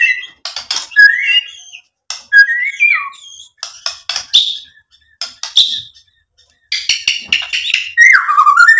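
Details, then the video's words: Lure song of a white-rumped shama displaying its repertoire. Scattered bursts of sharp clicks, short rising whistles and buzzy notes are separated by gaps, closing with a loud, tumbling, descending whistled phrase. "MURAI BATU GACOR MEMANCING EMOSI JADI NYAUT BUNYI BONGKAR MATERI ISIAN | PANCINGAN MURAI"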